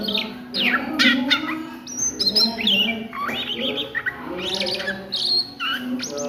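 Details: Oriental magpie-robin at midday delivering ngriwik song, a chattering run of high whistles, upward sweeps and clipped notes that change constantly, with a low droning hum in the background.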